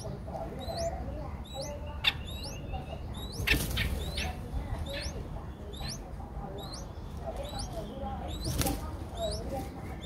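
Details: Nestling streak-eared bulbuls aged five days, Ubon Ratchathani, Thailand, 7 April 2023, repeat piercing upswept squeaks in rapid clusters, with occasional sharp knocks and a low background rumble.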